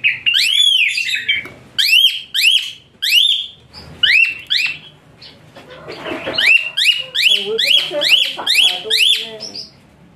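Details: Asian pied starling song for tutoring songbirds such as magpie robins: bursts of shrill arched whistles, a brief quieter chattering passage midway, then a fast sequence of rising-falling notes.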